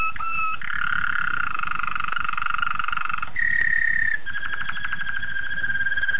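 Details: Malinois Waterslager canaries, young birds from 2013, in sustained song: long, even whistled notes and rolling trills held for seconds at a time, changing pitch between phrases, with faint clicks in the background.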